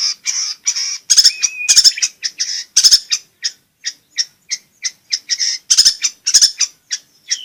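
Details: Long-tailed shrike singing energetically, a recording meant to coax reluctant shrikes to sing and to train young birds: irregular mix of sharp chips and buzzy bursts, with one clear sustained whistle early on.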